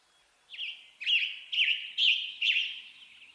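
Western Tanager singing five burry, hoarse phrases about half a second apart, each a short slurred up-and-down note, against quiet background hiss.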